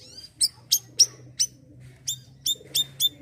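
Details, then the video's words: Siri-siri style singing of an Asian glossy starling, active (gacor), meant for teaching young untrained birds: about nine piercing high chips in three seconds, spaced unevenly, over a steady low background hum. "bayeman / siri-siri gacoor bunyi untuk burung bahan"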